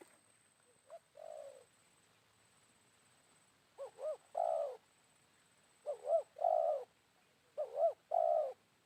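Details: Wild spotted dove calling during a midday trapping session with a decoy bird, after morning rain. A faint short coo comes first, then three low cooing phrases, each two quick rising-falling notes followed by a longer rolling coo, in a quiet background.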